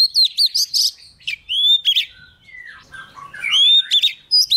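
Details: A young Oriental magpie-robin sings vigorously as a wild bird approaches: a rich, fast run of varied whistles, sweet slurred notes and scratchy chirps, with brief pauses between bursts.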